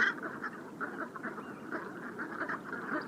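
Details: Flock of brent geese (Branta bernicla) on the Bassin d'Arcachon at Andernos-les-Bains, Gironde, France, around 7 pm in the evening on a rising tide, keeps up a steady, overlapping chatter of low, rolling, throaty calls, with no pause.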